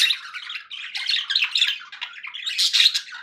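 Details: Happy budgies chattering indoors, a continuous blend of scratchy warbles and buzzy chirps, louder bright notes toward the close.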